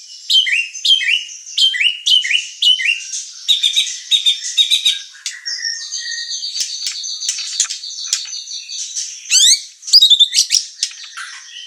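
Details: Murai batu, the White-rumped shama, in energetic training song meant to provoke other birds: a fast run of repeated rising whistles, then varied chattering notes, held high tones and rapid buzzy trills near the end.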